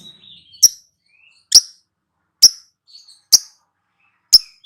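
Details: Lovebird kept as a therapy songbird, producing five sharp, high, squeaky chirps roughly once a second, with faint thin twittering between them.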